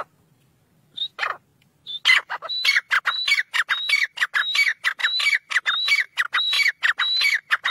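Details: Black francolin call. A few scattered whistles and rasps build into steady repeated phrases. Each phrase is a clear high whistle dropping into loud grating notes, repeated roughly every 0.65 seconds. A faint low hum sits in the background.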